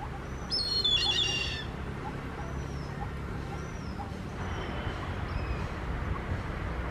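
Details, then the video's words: An Indian grey hornbill calls: one shrill, harsh squealing burst, then a few faint, thin high notes, over steady low rumbling background noise. "Indian grey hornbill Call | Grey Hornbill Sound"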